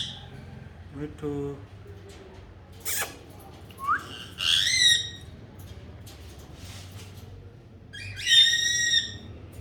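A parrot gives nasal, harmonic, speech-like calls in two rising bursts, with a low human voice and a sharp knock early on.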